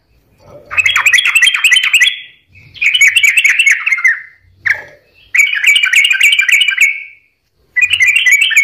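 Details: Sooty-headed bulbul singing actively, intended to stir lazy or stressed birds into song: dense bursts of rapid chattering whistles, each lasting one to two seconds, separated by short pauses.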